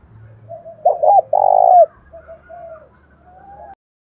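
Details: Spotted dove kept as a decoy, calling to lure wild doves: soft low coos, then a louder rolling doubled coo and a long held note, fading into quieter coos; faint low rumble in the background.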